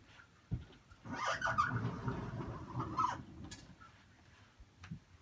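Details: Grey parrot chick born in September 2018, kept as a pet, calling for attention in a puppy-like way: a harsh, raspy squawk lasting about two seconds, then a softer short follow-up, with faint indoor thumps.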